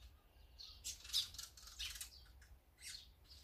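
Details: Mixed birds at a feeding spot, among them azure-winged magpies, sparrows, great tits and brown-eared bulbuls, give bright high chirps in bursts with some harsher squawky notes, over faint low background rumble.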